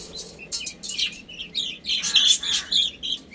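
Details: Baby chicks playing and eating, giving short high peeps that fall in pitch, scattered irregularly among sharp broadband clicks and rustles from pecking and movement.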